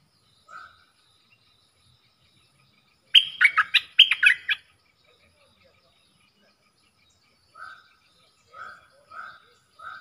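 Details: ['Caged bulbul duelling in song with wild birds: a loud, rapid burst of whistled, chattering notes in two bunches, with softer, lower single whistles before and after it, repeated at intervals as if another bird is answering from farther away.']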